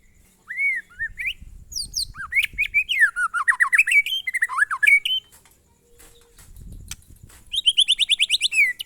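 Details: White-rumped shama, a monotonous song style known locally as glondong: rapid varied whistles, slurred notes and buzzy trills around two to eight kilohertz, with a brief low hum and faint background rustle.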